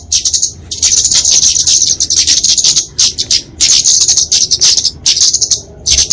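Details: Fighting song of a flowerpecker, for tutoring and luring small songbirds: bursts of thin, sizzling high notes of varying length, with clear gaps between the phrases.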